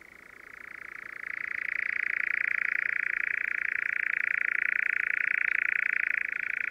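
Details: A European nightjar (Caprimulgus europaeus) churrs in a long, unbroken, mechanical trill in spring in southern Sweden, holding a steady pitch and swelling slightly after the first second; no other sounds stand out.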